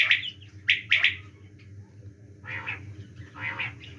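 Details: Winter-season quail call: two crisp groups of short whistled notes open the recording, followed by rougher, buzzier bursts. A low droning hum persists throughout.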